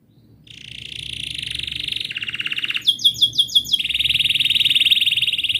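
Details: Canary in full rolling song, used as a lure for young or silent canaries: a long even trill, then a faster pulsed roll of ringing notes, ending in a steady dense trill.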